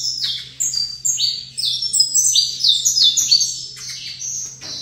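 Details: A caged saffron finch, facing another finch, sings a dense stream of high, bright chirps, some sliding down, delivered in quick succession across the whole stretch, with a quiet low hum.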